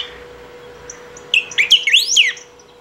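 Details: Saffron finch, called picahueso, singing tirelessly as a lure or training song: a few soft high peeps, then one bright burst of swooping, twisting notes lasting about a second.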